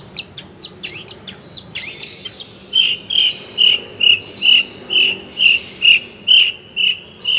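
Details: Long-tailed shrike song with varied material: a jumble of sharp sweeping chirps, then a steady series of clear short whistled notes repeated about twice per second at even pitch.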